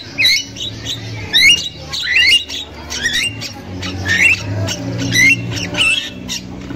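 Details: Very vocal wild Javan myna, a female's chattering played to prompt young mynas to sing: scratchy, warbling squawks with twisting whistles, irregularly spaced, over a low background hum.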